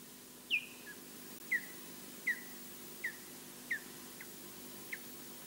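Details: Osprey on a live-camera nest at Loch Garten, Scotland, calling while defending the nest alone from a distant intruder: a run of seven sharp, falling whistled yelps, roughly one every three-quarters of a second, fading toward the end.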